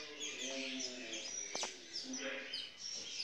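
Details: Saffron finches, intense yellow birds held in captivity by a breeder, September 2019: brief high twittering with thin downslurred whistles, a short burst of chirps, and a faint low human voice in the background.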